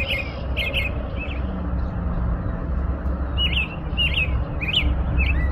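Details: An American robin gives a few quick whistled phrases, falls silent for about two seconds, then resumes with louder sharply rising and falling whistles, over steady low-frequency background noise.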